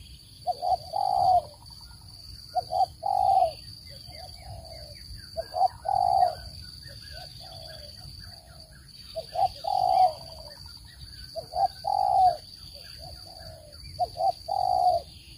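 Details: Spotted dove calling, with a clean, noise-free voice used as a lure for bird trapping. It gives low, mellow cooing phrases of two to three notes, repeated every two to three seconds, with a steady faint hum behind.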